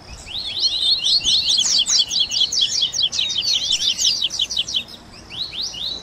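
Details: Crowded 'baderna' of Double-collared seedeater song for stimulating and training caged birds, mixing tui tui, grego, viviti and flauteado styles: fast, thick runs of high, clipped chirps overlapping continuously, thinning toward the end.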